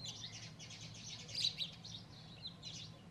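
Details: At a nest where one male sparrow is caught between two females, a busy stream of high, rapid twittering chirps runs throughout, with a steady low hum underneath.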